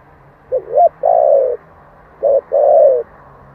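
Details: Spotted dove in the 'thổ' song style, a recording for luring. A phrase of two quick, curving notes and a long, gently descending coo, then a second phrase with a short note and a similar drawn-out coo.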